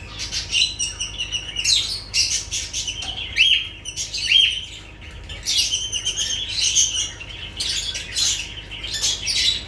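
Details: Lovebirds chattering almost nonstop, rapid shrill chirps and screechy notes with a few clear whistled squeaks, busy and overlapping, low hum beneath.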